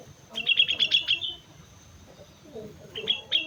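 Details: Sooty-headed bulbul in lively (gacor) song on Mount Slamet: a rapid run of about seven bright, bubbling notes, then two separate chirps after a pause, with faint lower sounds.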